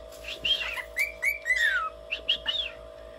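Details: A male pet cockatiel whistles a string of clear, sliding notes, some rising and some falling, over a steady hum, while being uncooperative and not doing the sounds he knows.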